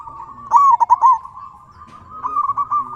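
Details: Zebra dove, local type, calling to get other doves to answer. A soft steady purr leads into a loud quick burst of four beaded coos, then a quieter murmur and a final run of rolling notes.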